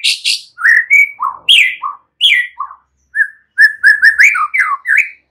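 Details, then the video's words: Young wild white-rumped shama song for provoking another bird: buzzy high bursts, varied whistled rising and falling phrases with gaps, then a rapid string of repeated clear notes. "Murai batu PASTI LANGSUNG Nyaut NGEPLONG dan GACOR dengan suara Murai Muda Hutan ini"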